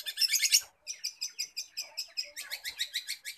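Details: Long-tailed shrike imitating other birds: a loud, harsh burst gives way to an evenly paced series of bright, clipped chirps. A faster run of ringing notes follows, the chirps coming several per second.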